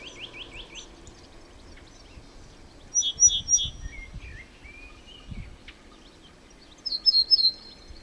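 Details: Cretzschmar's bunting song, short phrases of a few clear descending notes; also a series of lower rising slurred notes at the start and scattered chirps from other birds, over low rustling background noise.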